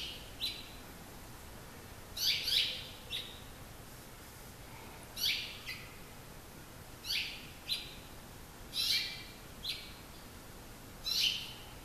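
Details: Male and female house finches sing to each other in a suburban setting in San Marcos, California, their usual singing rather than alarm calls: bright, warbled, twittering chirps in quick bursts every second or two, over faint hiss.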